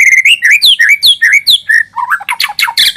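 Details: White-rumped shama singing a lure song: a run of loud, clear whistled notes, each slurred up or down, about two per second, ending in a burst of harsher, buzzy, rising notes.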